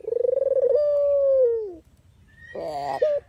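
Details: Dove (puter/deruk) call kept for training and luring birds into traps. A rapid pulsing trill runs into a smooth, even coo that drops at its close, followed after a gap by a short grating burst.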